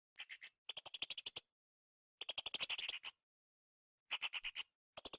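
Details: Blue-crowned hanging parrot in an active training recording for cage birds: bursts of very high, shrill, rapid chipping notes, four to ten per burst, separated by short silent gaps, with no other sounds.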